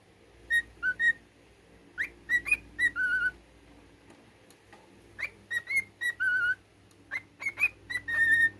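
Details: Pet cockatiel, male, whistling his learned military tune: clear whistled notes, short upslurs and flat held tones, in two bursts of phrases separated by a pause of about a second, with a faint low hum behind.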